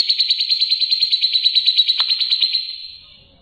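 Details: Grey-cheeked bulbul giving a clear 'ngebren' song: a rapid, evenly pulsed trill of high, bright notes lasting about two and a half seconds, then fading away.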